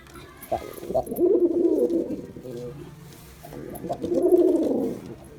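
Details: Girabaj pigeon, male, performing: two drawn-out, gurgling coos, each over a second long, separated by a quiet, low humming pause.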